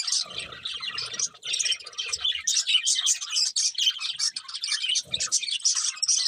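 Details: Several budgerigars chirping and warbling while feeding; rapid high twittering and squeaky notes run almost without pause, with faint low knocking sounds near the start and again later.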